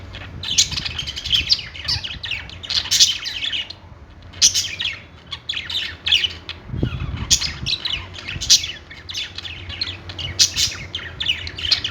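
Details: Budgerigars singing on a perch in a pet store: dense, overlapping chirps and squawky warbling from several birds, arriving in bursts about every second with brief pauses, over a low steady background hum.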